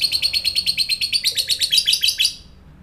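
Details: Fast high-pitched lovebird chattering, rapid pulsed notes in an unbroken run that fades out, used to provoke fighter lovebirds into responding.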